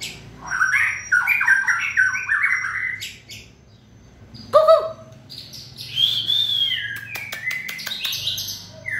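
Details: White-rumped shama, 2020 season, in fiery form: rapid chattering series of notes, a loud low swooping whistle midway, then clicks and bright whistled phrases, with a faint steady tone early on.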